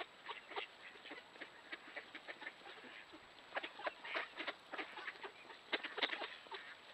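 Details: Urban mallards wintering in the Duluth–Superior area, roosting on Lake Superior at the Lester River mouth where water stays open, recorded by trail camera. A steady stream of short, soft, low-level quacks and clucks overlaps continuously from a flock.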